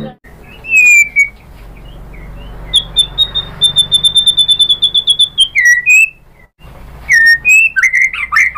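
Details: White-rumped shama singing to a lure recording meant to provoke it into full song: clear whistled notes and slurs, then a fast series of evenly spaced bright chips, then more varied whistled phrases and trills.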